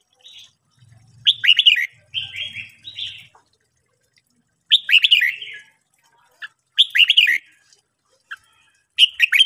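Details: Morning singing by a red-whiskered bulbul in training: several rapid, bubbly whistled phrases and softer trilled notes, over faint low buzzing.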